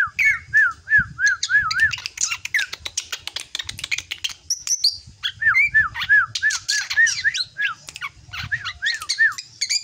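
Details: Young drongo nearing adulthood producing runs of wavering, looping whistles interspersed with harsh high chatter and clicks, in two bursts separated by a brief scratchy pause.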